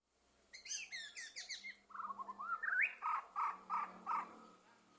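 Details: White-rumped shama released from its training cage in 2023, singing: rapid high chattering notes, then a rising slurred whistle and a run of five loud, evenly spaced ringing notes.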